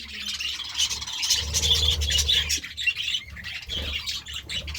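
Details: Morning chirping from budgerigars: a dense, warbling run of high chatter and squeaks that eases into scattered chirps, with a low hum beneath.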